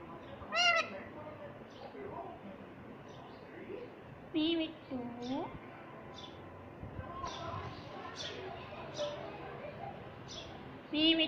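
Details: Pet rose-ringed parakeet, a green ringneck taught to say mummy and papa, utters a few brief, nasal, speech-like calls with curving tones, separated by long quiet stretches and faint room noise.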